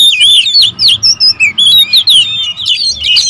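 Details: Noisy territorial oriental magpie-robins calling at once: sharp rising and falling whistles repeated in short pulses, several voices overlapping, fast and insistent, over a weak steady hum.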